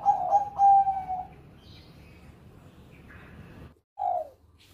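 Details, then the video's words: Bangkok-type zebra dove singing in the Susi Susanti song style: a soft, rolling cooing trill lasting about a second, then near quiet before a single short low coo near the end. "Perkutut Bangkok Gacor Suara Merdu Cengkok Susi Susanti Juara"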